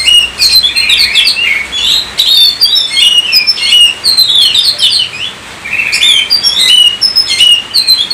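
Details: Oriental magpie-robin (kacer) pouring out a long, varied song of fluty whistles, quick chirps and warbled slurs, with short gaps between phrases.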